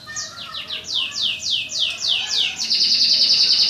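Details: Songbird trained for bird contests through singing duels with other songbirds. About ten high descending whistled sweeps accelerate, then break into a rapid, loud, high trill.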